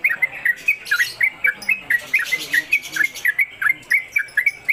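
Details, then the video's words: Trucuk on a hanging pole giving fast ropelan song meant as a training master for other birds: evenly spaced, bouncing whistled notes, roughly four a second, steady throughout. "Trucuk Konslet Kemedol Berdurasi"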